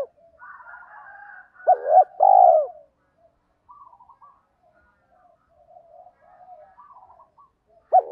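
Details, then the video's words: Spotted dove giving its kích bổi song: one loud phrase made of a quick upswept note with a quavering hoot, then a drawn-out steady coo. Faint twittering runs through the rest, and a new phrase begins at the very end. "tiếng chim cu gáy kích bổi"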